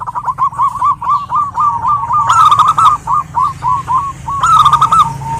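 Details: Calling female zebra dove of a local strain, addressing a male and used as a lure: rapid chattering series of clipped notes with two loud harsh bursts, ending on a sustained level note, low rumble underneath.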